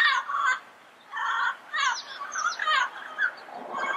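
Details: A wild yellow-headed parrot gives repeated harsh, braying squawks about once a second, rough and buzzy, while high thin whistles of other birds sound faintly behind.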